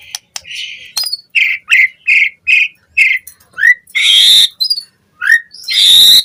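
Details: Training lure of White-rumped shama song for captive birds: a string of short clear whistled notes at an even pace, broken by harsh, hissing bursts.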